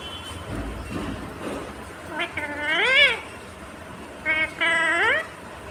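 A rose-ringed parakeet gives drawn-out, wavering, voice-like utterances in two short bursts about two seconds apart, over a low background hiss.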